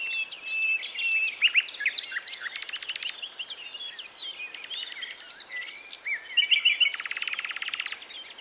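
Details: A common nightingale sings in early-morning sunshine in La Brenne, France, on 22 April: a varied, rich phrase of whistles, sharp chirps and fast buzzy trills, switching motifs every second or so, over a soft background hiss.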